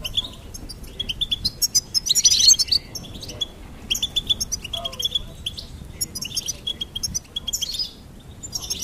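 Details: Goldfinch singing a lively, tinkling song of quick high twitters and short repeated notes, with bursts of rapid chatter and brief pauses between phrases.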